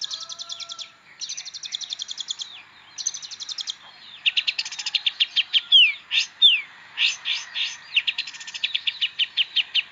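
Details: Long-tailed shrike (pentet) singing a rich song, used for tutoring magpie-robins. Three short, separate rattling bursts are followed by a varied stretch of sharp downslurred whistles, chips and harsh notes.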